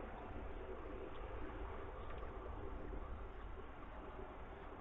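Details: Low rumbling, wind-like noise with a muffled steady roar and nothing else distinct.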